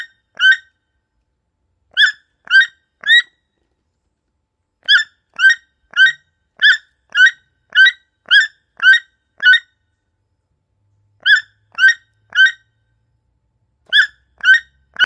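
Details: Calls of a toucan chick: short, bright, harmonic yelps in short bursts, then a long steady run of about a dozen evenly spaced notes, then further groups of three; a still background without other animals.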